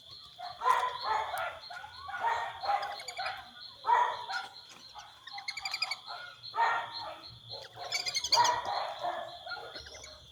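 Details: Brazilian teal in Brazil giving repeated harsh, nasal call bursts every second or two, mixed with high rattling notes, against a steady insect drone.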